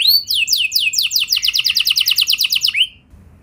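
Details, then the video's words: A singing canary, recorded as a lure to make other canaries sing with long rolls, gives a brief rising note and then a rapid even trill of high downslurred notes before ending on an upward sweep and fading to quiet. "Pancingan Kenari Biar Gacor Ngeroll Panjang! Dijamin Kenari Lain Pasti Langsung Nyaut Emosi Ngeroll"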